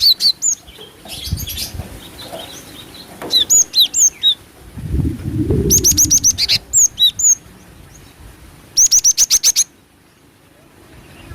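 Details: Female cinereous tit used as a lure: rapid bursts of four to six sharp, high, upslurred chips, some ending in a lower slurred note, repeated in several clusters with faint background hiss and low rumble.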